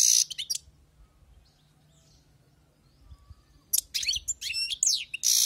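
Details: Wild-caught European goldfinch singing: a brief burst of bright, buzzy twittering, then a near-silent pause, then a longer run of rapid tinkling notes and harsh buzzes.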